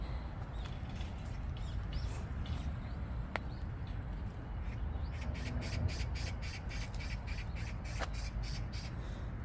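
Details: An Oriental magpie in a Sokcho garden on a frosty late-October Wednesday morning, heard as a bringer of good luck, gives a quick run of harsh, rasping chatter notes, strongest in the second half, over a steady low outdoor rumble.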